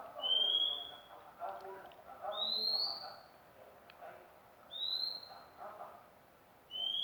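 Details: Magpie-robin song of clean whistled notes rising slightly in pitch, repeated about every two seconds, with murmuring background sounds and a faint click.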